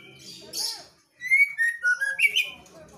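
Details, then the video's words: Female white-rumped shama singing actively in a loud, open ngeplong style: after a second of low hum, a quick run of clear rising and falling whistles near mid pitch, with rich overtones and a brighter final flourish. "MB betina GACOR sampai AKHIR"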